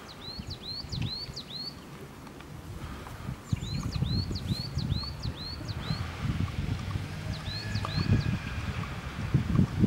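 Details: Coal tit singing in the Netherlands in January 2016: quick, high, bright two-note phrases repeated in three short bursts, with steady low wind rumbling underneath.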